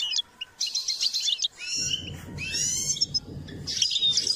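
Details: Goldfinch being trained to sing, delivering bursts of fast buzzy twittering and liquid chirps separated by short pauses, with low background hum during the middle.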